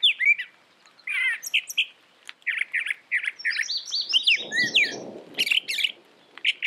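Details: Brown thrasher song made of short chirped phrases, several repeated in quick pairs, then a cluster of higher rising notes over a brief low rumbling noise, ending with bright slurred bursts.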